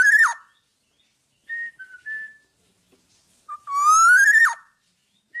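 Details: A tame, uncaged Black-naped oriole sings actively, giving clear, fluty whistles: a sharp slurred note, a few soft mid-pitched whistles, then a long rising whistle that drops abruptly.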